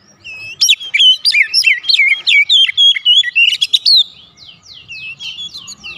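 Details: Oriental magpie-robin singing a lure song meant to draw a full-voiced response from other magpie-robins: a rapid run of loud whistled and twisting notes for about three seconds, fading into softer repeated downward chips.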